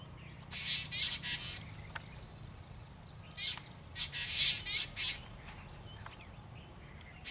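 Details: Black drongo (Dicrurus macrocercus) juvenile begging parents for food with harsh, raspy squawks in bursts of about half a second, with a few thin high whistles between them.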